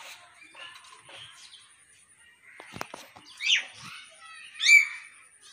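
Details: Common hill myna (Gracula religiosa), mimicked speech.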